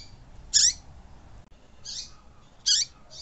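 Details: Tui-tui style song of a caged double-collared seedeater, used to warm up another caged bird to sing: loud, buzzy high notes repeated about once a second, each dropping into a short lower slur.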